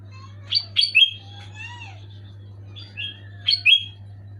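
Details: Sooty-headed bulbul in loud, clear song, used to coax a quiet pet bulbul into singing: rich bubbling phrases of several quick whistled notes trailing into softer warbles, two bursts in a few seconds, with low steady hum beneath.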